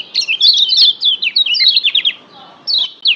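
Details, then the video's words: Short Lombok yellow white-eye song for fired-up singing in caged birds: a rapid run of high twittering, slurred notes for two seconds, a brief gap, then two more sharp chirps. "masteran Kecial Kuning pendongkrak emosi bikin Kecial Joss lebih ngotot"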